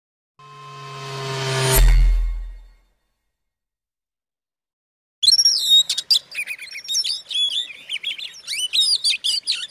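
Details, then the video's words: Oriental magpie-robin song meant to provoke other magpie-robins into aggression: a loud low rising tonal swell, then silence, then rapid varied high whistles, trills and buzzy notes in dense bursts. "suara kacer buat pancingan kacer lain emosi"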